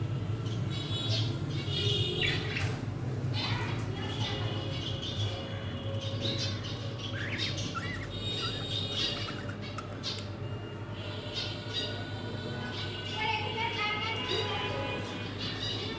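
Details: Budgerigars perched, with chicks sleeping nearby, chatter in a steady stream of quick, scratchy chirps and warbles over a low hum.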